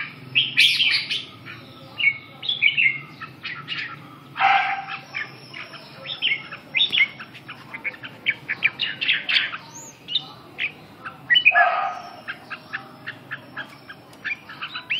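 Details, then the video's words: A red-whiskered bulbul after waking up pours out a busy song of quick chirps and warbled whistles. Brief sharp clicks and notes are packed densely, with a few louder bursts standing out. "tó điên ngủ dậy"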